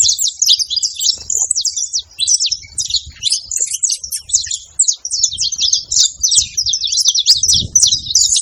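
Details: Male and female saffron finches calling together, a dense, continuous chatter of high, sharp chirps and twittering notes tumbling over one another, with faint low rumbling in the background.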